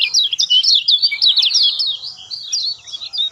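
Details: Lemon-bellied white-eye song meant to trigger singing in a silent bird: a very fast, dense, high twitter that grows softer and more slurred over a few seconds.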